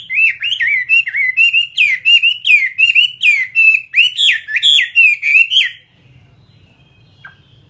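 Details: Fighting-type Chinese hwamei in captivity singing a vigorous, fast stream of clear, swooping whistles, roughly three per second for six seconds, then falling quiet apart from a faint low hum.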